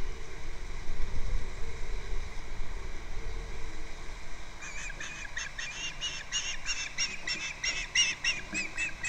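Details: Osprey at a nest on Captiva, nest camera, February 2nd: a few seconds of low rumbling noise, then a rapid chattering sequence of high whistled chirps through the second half.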